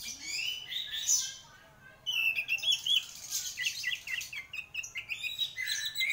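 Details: Orange-headed thrush, locally anis merah and called a champion singer, delivering a busy, slightly muffled stream of warbled and chattering notes over a background hiss.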